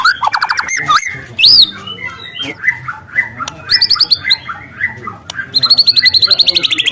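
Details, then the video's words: Wild white-rumped shama song with canary-like phrases, used for luring: loud varied whistles, rapid trills and chattering notes, sharp upswept whistles and a long fast repeated high trill at the end. "Suara asli murai lepas trotol dengan tembakan kenari panjang dan keras"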